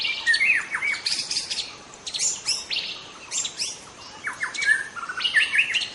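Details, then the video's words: A young White-rumped shama sings in the wild forest, a loud, busy stream of sharp chirps, quick downslurred whistles and buzzy notes in bursts, with short pauses between phrases. "Kicau murai muda hutan"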